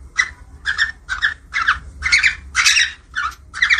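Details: Budgerigar (falk parakeet) mating call used to stimulate breeding in captive birds: about eight separate bursts of harsh, chattering warble notes, each roughly a quarter second long, spaced by short gaps over a quiet low hum.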